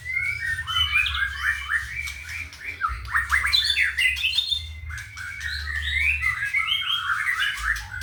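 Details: A ringed white-rumped shama with a 31 cm tail, from Pituruh, Purworejo, Indonesia, delivers a fast, continuous song of rising whistles, trills and harsh chattering notes, with a constant low background hum.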